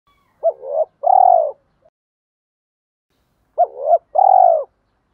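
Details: Spotted doves, male and female, cooing to stimulate captive birds to coo: two low, mellow phrases, each a short bent note, a wavering middle note, then a long steady coo, about three seconds apart over silence.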